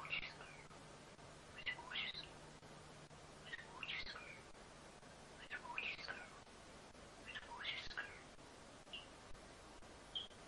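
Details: Pet common starling, a female kept in New Zealand, imitating human speech with the phrase 'Who's a gorgeous girl': scratchy, wheezy phrases with squeaky whistled notes, repeated roughly every two seconds, over a steady background hum.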